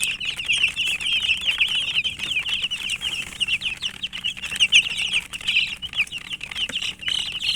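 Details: Chicken chicks peeping nonstop in a dense chorus of high, short, downslurred cheeps that overlap with no pauses, and faint rustling underneath.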